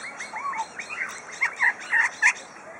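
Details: Captive superb lyrebird, Adelaide Zoo, Australia, imitating birds like kookaburra, magpies and lorikeets as well as tools: soft warbled phrases giving way to five or six louder harsh chattering notes.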